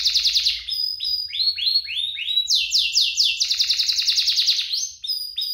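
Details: Vigorous canary duet song for prompting canaries and tutoring youngsters: rapid trill, a series of looping downslurred whistles, then bright rapid rolls repeated several times a second.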